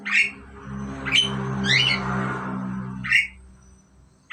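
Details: A pair of Asian pied starlings, caged, giving harsh squawking calls in short bursts, with a low steady hum underneath.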